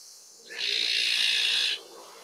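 An Azure-winged Magpie gives a single harsh, hissing rasp lasting just over a second, steady in pitch, against a quiet background.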